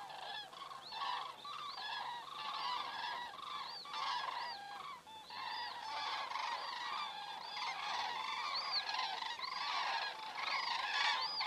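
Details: Evening flight of common cranes over Estonia on 27 September 2017, picked up by a webcam at 19:26; many birds call together, with loud rolling bugles and upward-curving notes repeating throughout, building toward the end.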